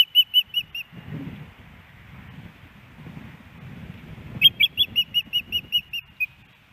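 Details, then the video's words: At a Missoula, Montana osprey nest in Hellgate Canyon, September 10, 2018, the female asks her mate for fish, which he does not give. Four shrill chirps, a pause filled with low rumble, then a run of about ten more. "Iris Calls For Louis' Early Fish"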